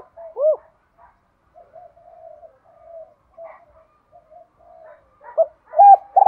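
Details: Spotted dove decoy singing to provoke a wild rival into fighting, in the two-ending calling style (gáy gọi hai hậu): low hollow arched coos, loud at the start and end, with softer, drawn-out cooing phrases in between.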